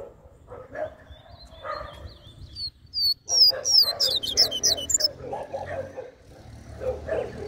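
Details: Coleiro mateiro-style song meant to stimulate males: a burst of rapid, high whistled notes sweeping down and up for about two seconds, with low yelping sounds before and after.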